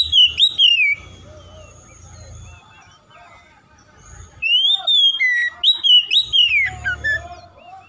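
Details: Oriental magpie-robin delivering loud, varied whistled song: a slurred falling phrase, a pause with faint low background hum, then a rush of rising whistles and chattering notes.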